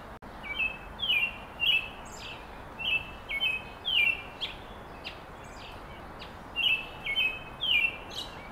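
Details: American robin in Carl Schurz Park on July 3, 2021, giving clear, slurred whistled notes in short bursts of two or three, repeated every second or so against a steady background hiss.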